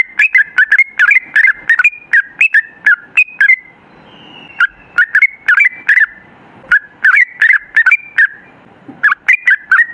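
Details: Yellow-vented bulbul in long, rapid 'gacor ropel' lure song: bursts of bubbly, chattering notes rising and falling, delivered in quick runs broken by a short pause midway.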